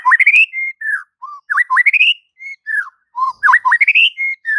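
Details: White-rumped shama training song for coaxing silent birds: clear, flutelike whistles sliding up and down, rising sweeps alternating with falling slurs and short low notes, delivered in quick continuous phrases.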